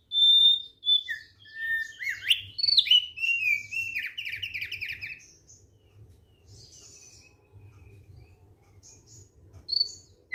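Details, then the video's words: Thick-billed white-eye singing relaxedly: high level whistles and short notes, then a rapid warbled run of jumbled slurred notes, followed by quiet with a few faint high chirps and a low hum. "KICAUAN SANTAI OPIOR PARUH TEBAL"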